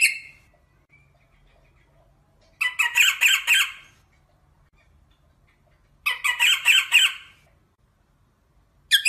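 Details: Rosella giving two rapid rattling bursts of rough, buzzy notes, each lasting about a second and a half, separated by several seconds of quiet.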